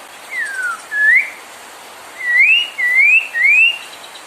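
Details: White-rumped shama singing to provoke other birds into song: clear, slow whistles, one sliding down, then several smoothly rising notes separated by short gaps.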